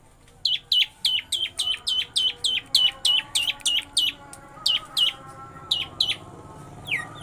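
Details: Long-tailed shrike giving a lovebird-style imitation, a steady chain of shrill, piercing chirps that starts quickly and slows toward the end into scattered, separate notes, against a quiet background.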